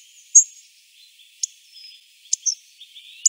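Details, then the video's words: Hawfinch ticks: sharp, high clicks roughly once a second, one run into a short double note, against faint thin whistling and a low-level hiss. "Hawfinch Picogordo Coccothraustes coccothraustes"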